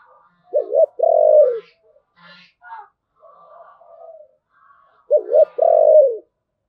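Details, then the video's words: Spotted dove singing in the "giọng thổ" ("Bầu") cooing style: two phrases several seconds apart, each a quick double coo followed by a long, drawn-out, low falling coo, with soft indistinct sounds in between. "cu gáy giọng thổ, Bầu nghe rất hay"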